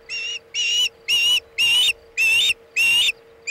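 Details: Osprey at a Chesapeake nest on 27 August 2019 at 2:26 pm EDT, during delivery of a bluefish tail. Six loud, whistled, slightly rising notes come about twice a second over a steady low electrical hum.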